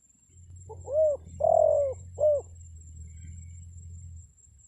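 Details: Pikat-style spotted dove call meant to lure wild birds: one mellow three-note cooing phrase with the longest note in the middle, low background hum, then quiet.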